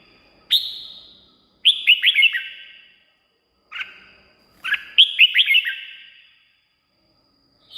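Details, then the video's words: Red-whiskered bulbul song played to excite caged birds or lure wild ones. Single whistled notes alternate with quick four-note bubbly phrases that drop in pitch. Each phrase rings on with echo, about every two seconds. "เสียงนกกรงหัวจุก สำหรับต่อ หรือ เปิดให้นกคึก เสียงเพราะๆ"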